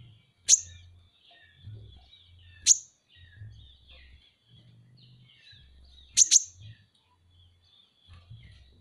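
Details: Sharp, very high single chips from Van Hasselt's sunbird (kolibri ninja), spaced about two seconds apart, ending with a quick doubled note. Faint low thumps sit in the background.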